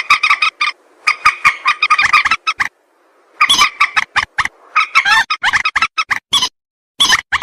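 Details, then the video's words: Common moorhen lure calls: staccato, grating croaks in quick clusters, separated by clear silent gaps of up to a second. "Moorhen bird hunting voice 2024 | Moorhen birds best sound | Jal morgi ki awaz"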